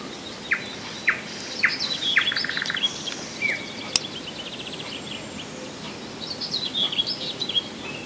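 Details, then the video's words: Nightingale song from Rassudovo, some 40 kilometres outside Moscow, July 2011: sharp descending whistled notes repeated about every half second, then a buzzy stuttering run and a sudden click, over distant high chirping of other birds. "Соловьиная песня / Nightingale song"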